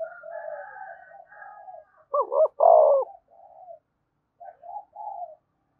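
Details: Spotted dove cooing used to stimulate other doves to coo: soft low hooting coos, a louder doubled coo midway, then a few quiet short coos trailing off.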